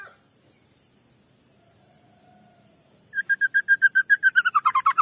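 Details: White-rumped shama lure song: after three seconds of near silence with faint background hum, a fast series of even whistled notes repeats several times a second and turns rougher at the end.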